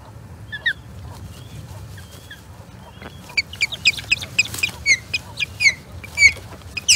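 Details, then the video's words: Osprey at a nest in Charlo on 21 April 2022, calling during a skirmish with an intruding third osprey: faint notes at first, then a rapid series of sharp, high, whistled chirps repeated about once per second. "Skirmishes with a 3rd Osprey"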